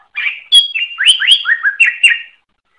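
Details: Greater green leafbird (cucak ijo) singing energetically in a training recording: a quick continuous phrase of upward-sweeping whistles, short chirps and a falling slur, with no other sounds.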